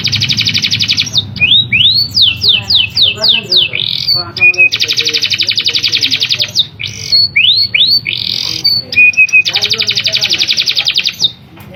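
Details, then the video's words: Canary in full rolling song, played to stir quiet canaries into singing: long fast high trills alternate with bursts of rising and falling whistled sweeps, repeated several times, with faint low background noise. "PANCINGAN KENARI GACOR NGEROLL TAJAM"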